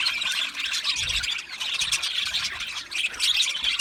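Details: Budgerigars in an aviary, a dense chorus of overlapping high chirps and squawky chatter from many birds with no pauses, plus a brief low thump near the middle.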